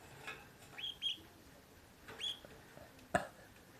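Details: Cheerful, energetic pet parakeet giving a few brief, high, clear chirps in quick pairs, then another lone chirp, followed by a sharp click in a quiet room.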